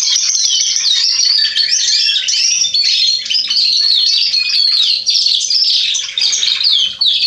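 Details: Singing male Atlantic canary, 27 October 2020, pours out fast warbled phrases: quick rising and falling whistles mixed with buzzy trills, almost without pause, plus a brief dip in volume near the end.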